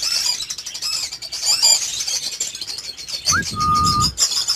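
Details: Caged budgerigars kept for breeding chattering in high, rapid scratchy notes, interrupted by a clear sustained whistled tone and a low rumbling noise.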